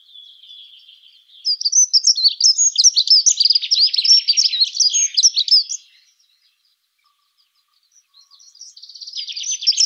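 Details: Dunnock singing a rapid, high-pitched, scratchy warble lasting about four and a half seconds, a fast run of tinkling notes, followed by silence before another phrase begins near the end.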